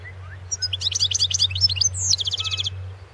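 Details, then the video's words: European goldfinch singing in a world championship song competition, 2016, Serbia-linked entry: rapid bright twittering notes around 3–8k, a fast chattering phrase then a buzzy descending rattle of repeated notes, steady low hum underneath. "Pesma štiglića 004/ 2016 Ivana Mladenović World championship in Goldfinch Song 2016"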